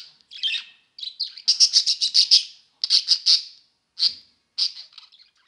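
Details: Budgerigars at play: a busy run of high, buzzy chirps and warbles, some in quick bursts of repeated notes, with brief pauses between them.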